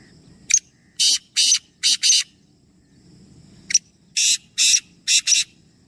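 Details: Rasping call of black francolins, three birds, heard as two matching phrases, each a brief click followed by four loud scratchy notes in two pairs, against a quiet low rumble.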